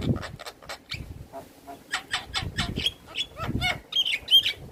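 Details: Black-winged starling song from a caged bird used as a lure: harsh grating rasps in quick series, a few pure whistles, with low thumps and background noise.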